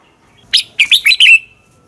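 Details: Red-whiskered bulbul fighting song for training caged birds: a single brisk phrase of five bright, slurred whistled notes ending in a short trailing whistle.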